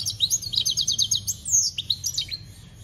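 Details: European goldfinch singing, campero, 2021: a rapid trill of about a dozen bright tinkling notes, then a drawn-out whistle and a few scattered twittering chirps.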